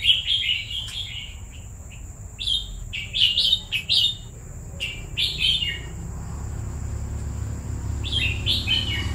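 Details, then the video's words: Red-whiskered bulbul kept for two years, singing clear, bright whistled phrases in quick bursts, several short sharp notes repeated at uneven intervals with brief gaps between; low background hum throughout. "Merbah Jambul Kesayangan Hamba"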